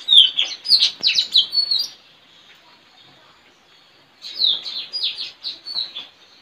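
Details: In a village yard on 4 April 2021, a trained decoy Straw-headed bulbul duels in song with another caged bird, giving two bursts of rapid, sharp, high chirps separated by a quiet two-second gap.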